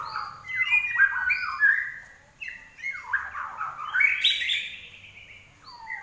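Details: Common iora in lively song, delivering loud varied whistled phrases with sweeping downslurs, separated by brief pauses.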